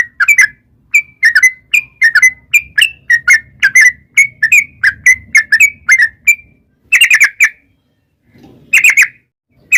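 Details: Sooty-headed bulbul lure song for calling wild birds into answering. A long series of mellow whistled notes in quick succession, then silence broken by two short bursts of rapid chatter.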